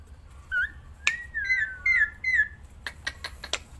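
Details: Black-winged myna held in the hand outdoors, singing without pause: clear whistled notes, one long level whistle followed by a few short slurred whistles, then a string of sharp clicks.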